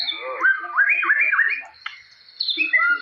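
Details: Loud song from a white-rumped shama: a chain of bouncing upswept whistled notes, a short pause, then varied higher twittering phrases.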